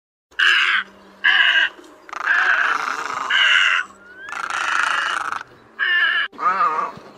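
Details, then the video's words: A Great Egret gives harsh, raspy croaks in about seven uneven bursts, some drawn out and grating, with brief gaps between them. The recording is used as a lure for night net trapping in the August 2024 migration season. "Tiếng Cò Trắng Lớn"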